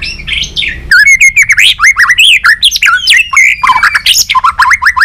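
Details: Dense varied song of a trained white-rumped shama, competing and tail flicking: after a brief muffled start, a rapid torrent of whistles, slurs, and chattering notes with hardly a pause.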